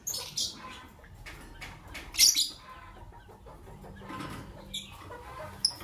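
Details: White albino and pastel green Fischer's lovebirds in the morning give a scratchy chirp near the start, then a louder piercing squeak midway, with light rustling and a low hum behind.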